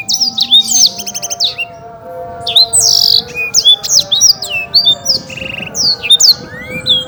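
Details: A champion male black-throated canary sings a fast, varied run of high sweet whistles, rapid trills and buzzy notes, with steady low tones humming beneath, with music playing.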